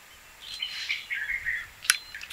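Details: Blue-capped rock thrush giving a short warbled phrase of clear, slightly slurred whistled notes, a rising note followed by falling ones, with one sharp click near the end over quiet background hiss.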